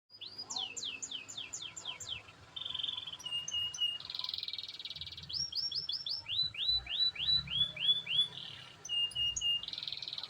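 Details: Canary of the AF type singing steadily: rapid trills of falling whistled notes high in pitch, buzzy churring phrases and short flat whistles alternating, with faint low background hum.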